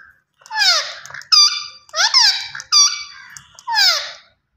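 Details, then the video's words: Green Indian ringneck parakeet talking, a run of loud harmonic, speech-like phrases with descending and rising sweeps, about five syllable bursts separated by short pauses, indoors with no other sounds. "Gareen Ringneck Parrot Talking Vice Always Superb"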